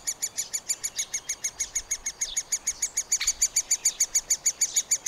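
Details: Middle spotted woodpecker young being fed at the nest cavity, recorded with a Panasonic FZ 2000 camera: a steady, high, pulsed chatter of short notes, about three per second, with one brief sharper call midway.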